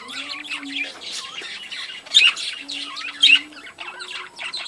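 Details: Budgies in a breeding colony chattering with squawky, scratchy notes and quick chirps, two loud harsh squeaks about a second apart, a low steady hum audible in the background.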